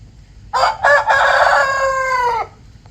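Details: Rooster crowing at daybreak as a natural wake-up call: a complete crow with two brief clipped syllables followed by a long sustained harsh note gently sliding downward, ending cleanly into quiet low background noise.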